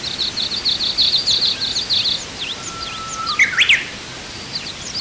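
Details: A vagrant Rosy pipit (Anthus roseatus) on Oeyeondo island, Korea, in spring, calls with a quick run of thin, high chirps for about two seconds, then a few sharp rising and falling notes, with faint background noise.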